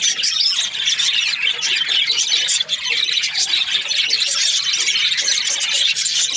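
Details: Chirping from budgerigar breeding pairs: a steady wall of shrill, twittering warbles and squeaks from many birds at once, level and constant throughout, with one brief dip near the middle.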